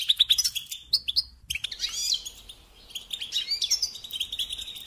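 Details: Goldfinch singing for young birds to learn from: a few crisp chirps, a brief pause, then a looser run of twangy, sliding notes and soft twitters over light background hiss.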